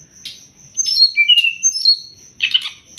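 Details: Sumatran leafbird song played as a training recording for songbirds: short high whistled and slurred notes, a buzzy trill near the start and a dense chattering burst at the end, with a faint steady high tone throughout.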